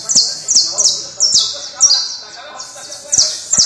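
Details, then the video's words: Criollo canary song made of quick, high descending slurred notes in uneven bursts, with a steady rapid pace, separated by brief pauses and occasional sharp clicks in the background. "Canario Criollo"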